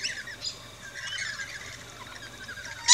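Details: At an Australian backyard feeding station, rainbow lorikeets keep up a hissy, high chatter that ends in a sudden loud screech.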